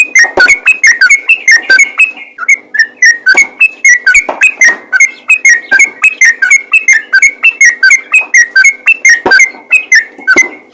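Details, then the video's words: Rapid, unbroken bulbul song in the 'ropel' style, meant to prompt other yellow-vented bulbuls into singing. Ringing whistled syllables repeat steadily, roughly three per second, across about eleven seconds. "burung trucukan ropel||UNTUK MERANGSANG TRUCUKAN LAIN AGAR RAJIN BUNYI"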